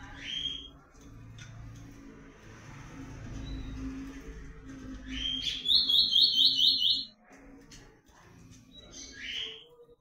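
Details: Blue-black grosbeak of the comanche style singing in breeding season: whistled slurred notes framing a quick buzzy run of repeated high notes, over a steady low hum.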